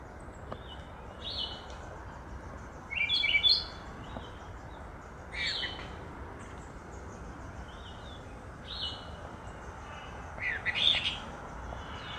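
Cape robin-chat singing brief, high, sweet warbled phrases every two to three seconds over a steady hiss of background noise.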